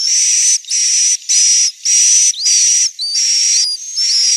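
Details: Swiftlet roosting sound from Central Sulawesi, Indonesia: loud, even, hissing buzzy chirps, about half a second each and roughly two per second, over a high whistled tone that later breaks into short upward and downward slides.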